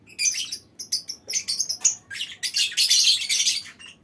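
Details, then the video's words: Colony of lovebirds in a mini aviary calling together in long ngekek chatter: shrill, harsh, rapid chirps in dense bursts, pausing briefly between volleys, several birds overlapping throughout. "Suara Lovebird Koloni Bikin Burung Lain Ikut Ngekek Panjang"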